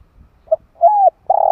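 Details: Spotted dove used as a lure call: a short low coo, then a longer drawn-out hooting coo and a third sustained coo, all deep and mellow.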